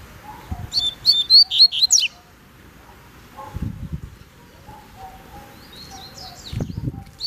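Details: Double-collared seedeater taken on a walk outside its cage, giving one quick high twittering phrase of sharp whistled notes, then later a few fainter notes, with low thumps and rustling in the background.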